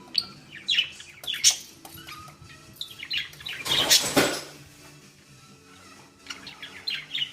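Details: Pet female budgerigar angrily trying to tear off a ball tied to a string; high chirps and short warbles scattered among sharp clattering knocks of the toy, with a loud noisy burst near the middle.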